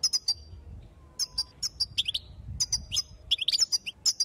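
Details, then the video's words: Female European goldfinch calls meant to stir up males and get them singing; dense run of high liquid chirps and twittering notes in quick succession, nearly continuous throughout. "ستسته أنثى الحسون ستوقظ النار في الحسون | ستسته لتهييج الحسون وتجهيز الذكور"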